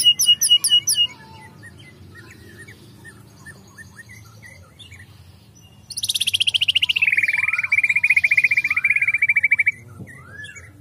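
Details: Caged white-rumped shama, agitated and singing hard: brief high repeated notes open, then after a quiet gap a long rapid trill sweeping down from very high and holding a steady pulsed buzz for about four seconds.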